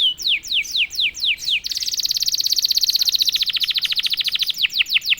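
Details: Domestic canary singing after one prompt: a string of downward-sliding whistled notes, then a long very rapid high trill lasting about three seconds, finishing with more descending swoops.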